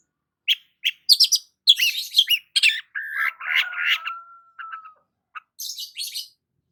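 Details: Morning song of a sunbathing long-tailed shrike: quick sharp chips building into harsh mixed chatter and a drawn-out lower grating phrase, then scattered clicks and a final high scratchy burst; a faint steady tone runs beneath.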